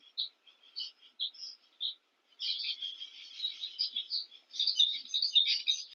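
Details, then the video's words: Cape weavers at a King Protea during nest building: a few spaced squeaky chirps, then a sudden burst of dense, sizzling, overlapping chatter that swells toward the end. "King Protea with the sounds of Cape weavers chattering and debating during nest building."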